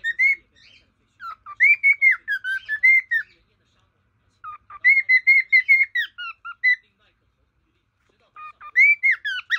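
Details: Pet male cockatiel singing to his own portrait: clear whistled phrases that rise and waver, delivered in three separate bursts of several notes with quiet pauses between them.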